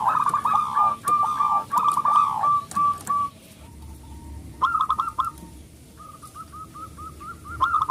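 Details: Loud local zebra dove singing as a lure to set other doves singing: long run of quick, bubbling coos fading into quieter single notes, a short burst, then a series of evenly spaced coos.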